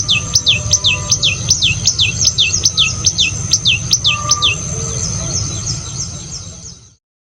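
A tailorbird gives a quick run of sharp, high, downslurred chirps, about three a second, then a softer trailing series, over a low background rumble.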